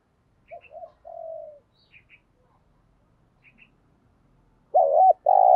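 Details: Decoy spotted dove in the early morning. A faint, distant-sounding coo and a few thin high chirps give way to a loud, close, hollow coo phrase at the end.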